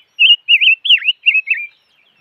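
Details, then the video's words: Noog rheeb, the five-coloured bird (chim ngũ sắc), giving a run of five warbling whistled phrases, each wavering up and down with one dipping note in the middle, closely spaced over about a second and a half in a quiet setting. "Suab noog rheeb quaj chim ngũ sắc"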